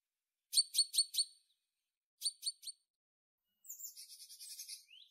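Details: A tit gives short bursts of three or four very high, sharp repeated notes. A fast buzzy high trill follows, with silence in between the phrases.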